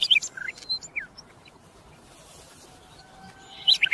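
A common nightingale gives a burst of high, varied chirps and short down-slurred whistles, falls quiet for two seconds, then resumes with a rapid, bright phrase.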